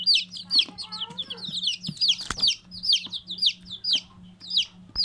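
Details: A brood of chicks giving loud, high, down-slurred peeps at a quick, uneven pace, with a faint lower falling note early on and a low steady hum throughout.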